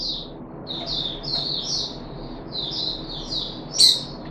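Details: Caged puff-backed bulbul on its third day of deworming, recorded 14 July 2021: a run of short, high, slurred chirps in quick succession, ending in one loud, sharp squeak, over a low steady hum.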